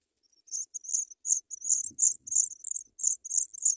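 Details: African pipit chicks begging in the nest as parents bring white butterflies to feed them; shrill, very high squeaky notes in rapid uneven bursts, several per second, with a faint rustle near the middle.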